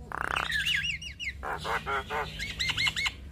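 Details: Javan myna singing freely, used to train and lure other starlings: a grating buzz followed by looping wavy whistles, a few nasal honk-like notes, and more bouncing slurred whistles.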